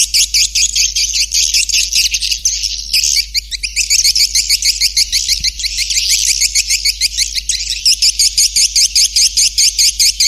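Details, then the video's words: Sound used to lure swiftlets: a long, steady stream of rapid, high, clicking twitters pulsing several times a second, sounding buzzy and continuous. "Suara Panggil Burung Walet"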